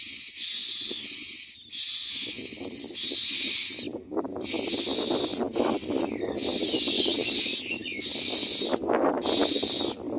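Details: Common mynas feeding young at the nest; quiet rustling, then a series of loud, harsh hissing bursts of about a second each, eight in a row with short gaps.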